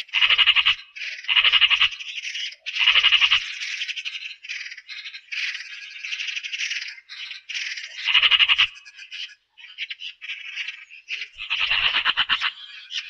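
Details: Eurasian magpie chattering at length. Loud clattering bursts of fast, harsh pulses recur every second or two, linked by softer scratchy notes, with a brief gap near the middle.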